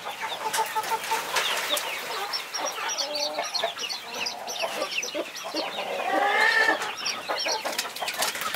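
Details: A hen guarding her brood of 21 chicks gives short clucks and a rising drawn-out call near the end, amid constant high, shrill cheeping from the many chicks.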